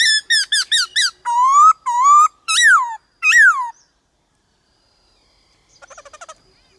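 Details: White-cheeked laughingthrush in varied-voice 'đảo giọng' song, in a wild-standard style used to stir kept birds: rapid downward-swept whistles, then four long slurred rising-falling whistles, a pause, and a faint dry rattling burst near the end.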